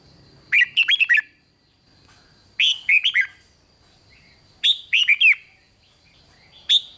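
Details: Red-whiskered bulbul song to excite other bulbuls, four-note bursts of loud, slurred whistles repeating about every two seconds, clean and dominant over a faint high electrical tone.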